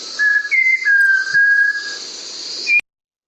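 A Malabar Whistling Thrush gives clear, human-like whistled notes, each held steady and then stepping up or down in pitch, over a faint background hiss.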